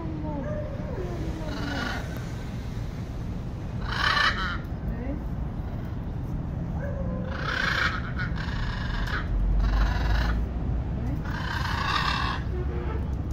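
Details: Free-flying macaws in Venezuela, visiting a home, give harsh, raspy squawks in bursts every couple of seconds. A few thinner whistled notes come between them over a steady low rumble.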